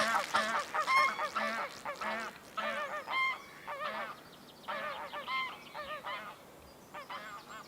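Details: Two feral greylag geese, breeding wild near Oxford, give loud, nasal honks in uneven bursts, several per second at times, as they go off early on a Sunday morning, with a low engine-like hum underneath.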